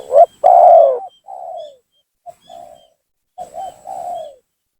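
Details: Spotted dove calling as a lure to provoke and bring down rivals: a loud clipped coo and a long strong coo, then softer falling coos and a short burst, before a fresh wavering three-part phrase; faint thin whistles sound behind.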